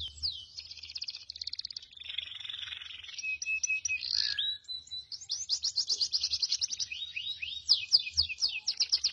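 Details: Male goldfinch × canary mule singing a continuous high-pitched medley of rapid rattling trills and twittering notes, broken midway by a buzzy, nasal stretch and a few thin whistles, then fast chattering trills resuming; faint low hum behind.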